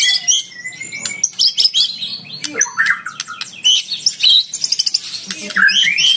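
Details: Fighter Oriental magpie-robin kept in a cage, challenging a rival in song: sharp clicks and chirps, short whistles and bursts of rapid buzzy notes, ending with upslurred whistles.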